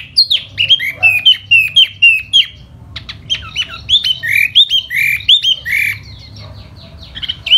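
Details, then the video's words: Spring laughingthrush song in the fanning display manner: bright looping whistles in quick bursts, broken by sharp clicks and a pause, then more slurred whistled phrases. "Mùa xuân xem chú tiểu mi hót xoè rất hay"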